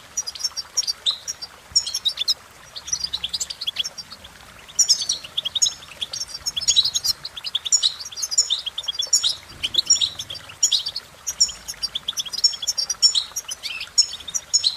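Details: Long cheerful goldfinch song: dense phrases of jingling, high-pitched twitters and quick trills, with a softer stretch before resuming in rapid, fluent bursts.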